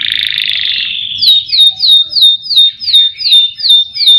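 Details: Canary singing as a lure to get other birds singing: a steady, slightly wavering whistled tone, then a run of sharp downslurred whistles repeated about every third of a second.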